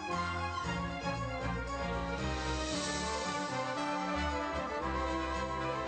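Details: Continuous layered instrumental music with steady low bass notes and bright sustained tones; no animal sounds can be heard.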